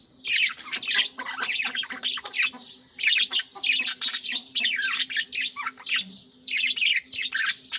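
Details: Budgerigars at the start of the morning, adults busy and feeding young in nest pots, give a continuous chatter of harsh, bright chirps and warbling squawks, overlapping with barely a pause, over a faint steady hum.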